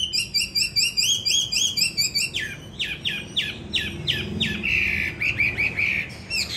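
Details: Caged hwamei, a trained fighting bird filmed upstairs, repeating a rapid series of identical rising whistled notes about three per second, then switching to sharp descending slurred notes and a rolling warble, with faint talking nearby.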